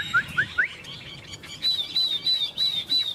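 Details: Chinese hwamei: three quick rising whistles, a pause, then a string of level high piping notes repeated roughly three times a second.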